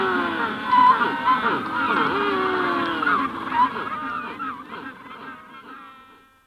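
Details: Adult Magellanic penguins at hatching stage call close up at Punta Tombo, with the general colony in the distance. Harsh, honking, donkey-like brays overlap, loud and layered, with several birds calling together before fading away.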